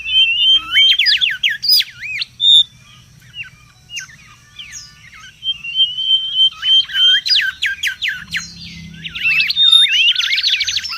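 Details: Mangrove whistler singing busily in the wild, a lure and tutor recording: bursts of fast rising and falling warbled notes alternate with level whistles and quick slurred chips over about eleven seconds, with faint low rumble.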